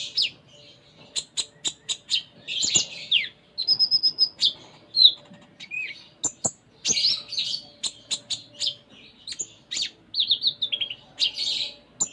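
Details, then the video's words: Sunda minivet in energetic, richly varied song: rapid high chirps and twitters in long bursts, a short level whistled trill, and sliding notes, with frequent sharp clicks between phrases. "Konin Gacor Full Isian"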